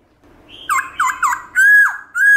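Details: Wild-style song of a black-throated laughingthrush for rousing pet birds: a soft high note, three quick down-slurred whistles, then a long loud level whistle ending in a sharp drop, followed by another rising whistle.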